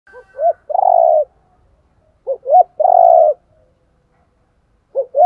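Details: Spotted dove decoy calls, male and female, played to stimulate birds being trained: short low hoots followed by a long rolling purr-like coo, the phrase repeated after a pause, in an otherwise quiet setting.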